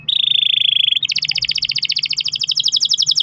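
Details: Canary rolling song used as a prompt for other canaries: a smooth steady trill for about a second, then a faster, higher pulsed trill continuing to the end.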